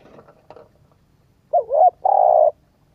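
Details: Spotted dove coo meant to stimulate a decoy bird. After faint rustling, a single phrase of a wavering short note and a longer steady hollow note is heard.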